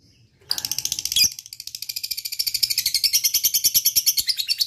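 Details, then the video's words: Lovebird kept as a cage bird, calling to stimulate lazy lovebirds to sing: after a brief high note, a long rapid chattering trill of sharp repeated high notes begins, accelerating into a steady buzzy ngekek run. "LB ngetik ngekek GAcooor bagus untuk pancing lb malas bunyi"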